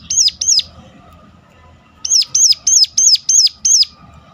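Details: Sharp calling of a Sunda warbler, used to coax other birds of its kind into singing: two high hooked notes, a pause, then six more evenly spaced shrill notes.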